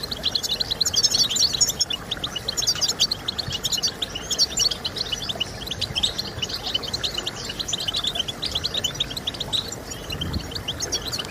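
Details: European goldfinch twittering song, played to motivate goldfinches to sing; long unbroken stream of quick, thin chirps and liquid trills, very dense and high, with a low steady noise beneath.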